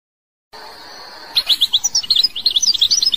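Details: European goldfinch from Algeria: after brief silence and hiss, a fast, chattering sequence of sharp, high twittering notes that grows denser toward the end.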